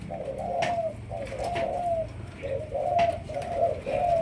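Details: Malaysian spotted dove, a young decoy-in-training, giving phrases of low coos ending in drawn-out, slightly falling notes, with faint clatter and room noise behind.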